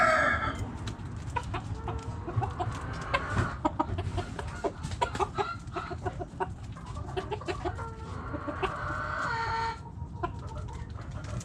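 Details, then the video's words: Backyard hens clucking, many short low clucks and chatter overlapping throughout, a busy flock heard over steady low background rumble. "Backyard Chickens Relaxing Video Sounds Noises Hens Clucking Roosters Crowing!"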